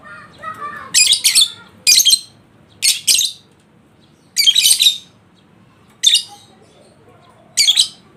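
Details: Lovebird in breeding condition, played as a lure so a quiet bird will answer with ngekek song: harsh, high, rasping chatter bursts, some doubled, repeated every second or so over about eight seconds.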